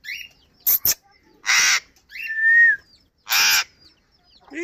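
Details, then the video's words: Talking Alexandrine parakeet, known locally as Kashmiri tota, gives two harsh squawked bursts with clicks and a drawn-out whistled tone between them. "Beautiful toking Raw Alexdrin parrot Bolny Wala Tota Raw Kashmire Tota"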